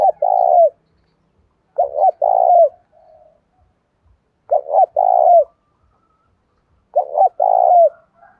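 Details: Spotted dove, 'đồng pha' voice, singing to provoke combat and lure out other birds. Four evenly spaced cooing phrases, each a fast two-part note and a longer sustained coo, are sometimes followed by a soft trailing murmur.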